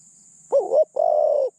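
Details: Captive spotted dove with a medium voice, used as a decoy to lure and trap doves: one phrase of a rolling double coo then a longer level coo, clear against quiet background hiss.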